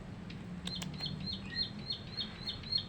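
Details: Newly caught Bar-winged Prinia, three weeks in captivity, singing in its cage: a run of short, high, sharp chips repeated about three times a second, with some clicks early and a low hum underneath.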